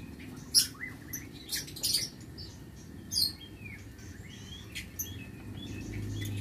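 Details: Caged lovebirds in a breeding aviary on 6 November 2022 making scattered short, squeaky chirps and a few thin, falling slurred notes, spaced irregularly over a low rumbling background.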